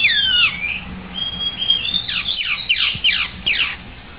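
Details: White-rumped shama song: looping whistled opening notes, a drawn-out clear tone, then a rapid series of descending sweeping notes repeated several times.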